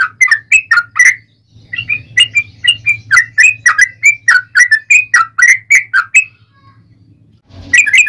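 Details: Yellow-vented bulbul fighting song played to make other birds respond; lively whistled notes in quick succession, a brief pause, a long run of bubbly phrases, silence, then the song resuming.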